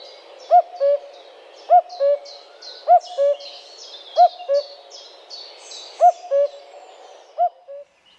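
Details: Male common cuckoo (Cuculus canorus) in spring sings to attract a female: a falling two-note 'cu-coo', higher then lower, six times at a relaxed pace, with thin chirps from other small birds faintly above.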